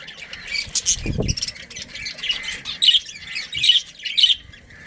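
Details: Colony of breeding budgerigars, soft chattering building to four loud scratchy squawks in the second half, with a brief low thump near one second.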